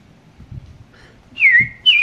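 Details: Red-crested cardinal, a regular visitor at Princeville, Kauai, Hawaii, 2015, gives two clear, slurred whistles, the first sliding down and levelling off, the second starting high; faint background murmur underneath.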